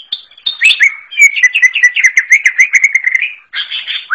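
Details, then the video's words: Forest greater green leafbird song. Sharp opening notes lead into a steady run of rapid, even chirped phrases with high ringing overtones, then a buzzier scratchy ending. The recording is clean, with no background noise. "KICAU UNIK CUCAK IJO ALAS"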